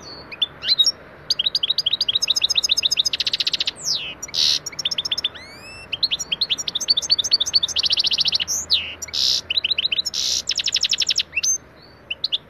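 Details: European goldfinch in a song lesson of Taneli Çipet Bol Cibili style: long, varied twittering with fast trills, buzzy bursts and rising slurred notes, continuing with few breaks.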